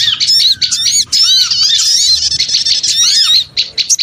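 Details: Small birds in a loud, chattering lure recording, squeaky high notes piled together with curved whistled slurs, in tight bursts with a pause near the end.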